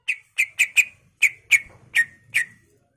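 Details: Cucak ijo, greater green leafbird, singing vigorously as a master for training birds: eight short bright whistled chips, clustered in quick pairs and threes, each dropping slightly in pitch, with a faint low hum underneath.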